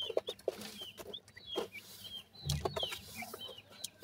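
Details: Young grey francolin chicks, from hatchling to independent stage, give thin high peeps in quick succession, each a short bent whistle, with sharp taps and clicks and a brief low thump partway through.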